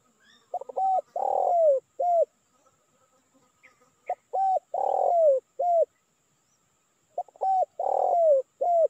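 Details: A spotted dove gives its lure call for attracting wild birds in Indonesia. Three full phrases come at even gaps. Each has short stuttering coos, a long husky descending coo and a brief final note, with quiet pauses between.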